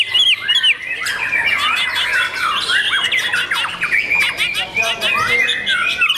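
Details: Young caged white-rumped shama singing rapid, jumbled phrases of harsh chatter and bright looping whistles, loud from the first second and continuous throughout.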